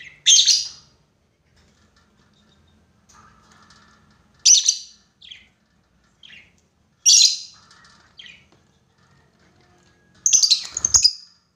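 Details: Lovebird calling a rival for a lure, long ngekek chatter: widely spaced loud, harsh, high screeches, with short softer chirps after some, ending in a burst of rapid chattering.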